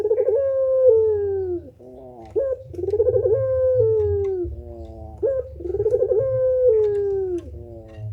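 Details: Turtle dove of the pelung type giving deep cooing phrases: a rolling, tremulous coo followed by a long falling note, repeated three times at steady intervals of about two and a half seconds.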